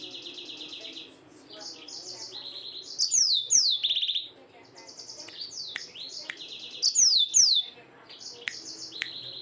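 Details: Yellow-fronted canary singing at night: high, fast trilled phrases and buzzy rattles, with two louder bursts of sharply falling whistled sweeps near the middle and end, over a quiet low background.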